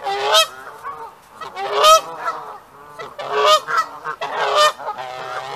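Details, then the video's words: Territorial Canada geese in breeding pairs honking loudly while chasing and attacking other geese nearby: harsh nasal blasts in irregular bursts about every second or two, several birds overlapping. "The Canada Geese in particular have become extremely territorial and hang out in their pairs, honking and attacking any geese who come near them."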